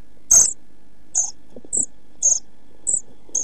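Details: Pied flycatcher chicks 11-12 days old in a nest box, ready to fledge very soon, recorded 29 June 2013; a loud knock followed by short high begging peeps roughly every half second and soft shuffling.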